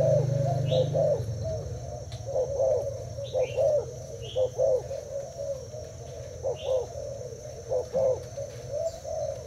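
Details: Spotted dove of Thai origin, caged, in a cooing contest with a decoy bird. Paired, rhythmic mid-pitched coos repeat about once a second, with faint high chirps from other birds and a low hum.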